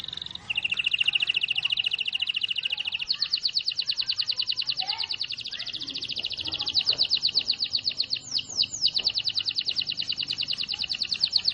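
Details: Canary in full song, a small songbird: a sustained high note shifting into long rapid rolling trills, pulsed notes repeated quickly for many seconds, light background hiss.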